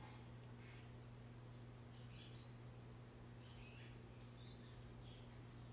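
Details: Pet Java sparrow being stroked indoors in the morning, giving soft, short chirps scattered through the few seconds, some paired, over a steady low electrical hum in a quiet room.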